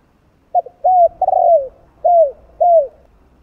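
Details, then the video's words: Spotted dove in the 'giọng đồng 2 hậu' style, cooing to rouse other doves. A clipped start leads to a smooth coo and a long burred coo, then two evenly spaced, downslurred closing coos. "Cu Gáy Giọng Đồng 2 Hậu ( 2 Cốt ) Gáy Kích Bổi Nhanh Nổi, Căng Lửa. Tiếng Cu Đấ Gáy"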